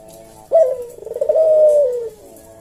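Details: Single 'kuk deruk' phrase from a captive puter jawa collared dove in slow senggang style, meant for tutoring cage birds: a sharp short note, a brief pause, then a long level coo easing downward.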